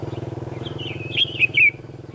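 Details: Red-whiskered bulbul, a decoy bird in a trapping contest, singing one warbled whistled phrase that climbs and dips before three loud notes, over a steady low engine-like drone.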